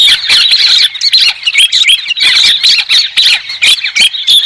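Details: Loud cackling and squeaking from a white-crested laughingthrush, with shrill rising whistles mixed into a busy, uneven stream of notes.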